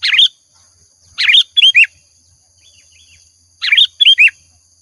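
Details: Lure recording of a lively, chattering sooty-headed bulbul: three bursts of bright, bubbly chirps with downslurred whistled notes, about every one to two seconds, separated by silent gaps.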